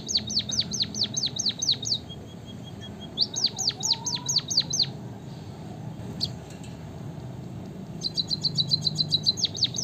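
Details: Singing white-headed munia, locally bondol haji: repeated runs of about seven steeply descending whistles separated by pauses with soft thin notes, a brief click, then a rapid high trill.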